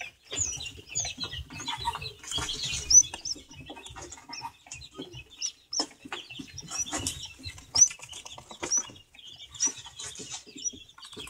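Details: Young satyr tragopans taking sand baths give soft clucks and thin, high cheeps amid steady scratching and rustling, with a few sharper squeaks every few seconds.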